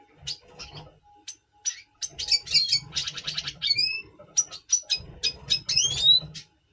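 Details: Double pastel red siskin in breeding mood before breeding, November 2023, sings in short bursts: high chirps, buzzy rattling trills and thin rising whistles, with brief pauses between phrases and a faint steady hum underneath.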